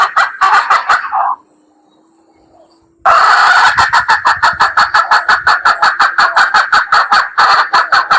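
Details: Female red junglefowl giving rapid, loud, clipped harsh notes, nearly three per second, in a long steady series after a short pause. A low steady hum runs underneath.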